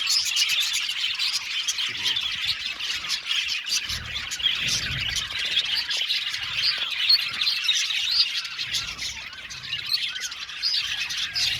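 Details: Many budgies chatter together in an aviary colony: a constant stream of high warbling chirps, squeaks and short whistles with scattered low knocks in the background.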